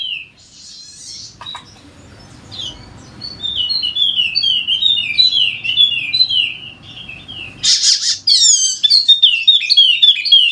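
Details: Golden-headed Wallacean white-eye, a Sumbawa endemic, sings a steady gacor twitter used to make lazy birds sing: high, sliding chirps over a low background rumble, a sudden hiss, then a brighter, faster stream of notes.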